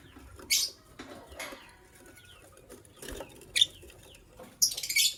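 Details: White lovebird pair giving harsh, shrill chirps in short scratchy bursts about a second apart, with fainter thin squeaks between them over a soft low background hum.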